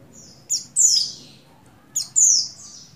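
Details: Oriental white-eye female of the buxtoni form, in breeding condition, calls to attract a male. Two bursts, each a short high chip followed by a shrill descending whistled slur, about a second and a half apart.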